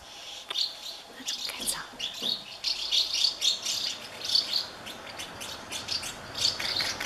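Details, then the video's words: Hungry House martin nestlings in a thirty-nest colony, fed by their parents, give dense high twittering chirps in rapid overlapping clusters, rising and falling in loudness about every half second. "A colony of thirty House martin (Delichon urbicum) nests full of hungry chicks"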